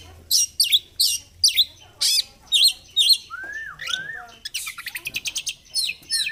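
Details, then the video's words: Oriental magpie-robin (kacer) singing in energetic 'gacor fighter' style while fluffing up ('ngobra'): a run of sharp, high, hooked chirps, then two slurred lower whistles and a fast stuttering trill of clicks. "Kacer gacor fighter//ngobra Joss//terapi untuk Kacer susah bunyi"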